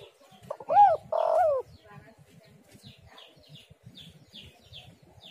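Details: One phrase from a spotted dove used as a lure call: two short arched coos, then a longer rough coo that bends downward. Faint high chirps from small birds follow.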